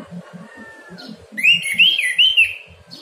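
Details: Morning 'ngeplong' song of an Orange-headed thrush, played to prompt caged birds to sing: a bright burst of quick looping whistled notes over soft, steady low thumping in the background.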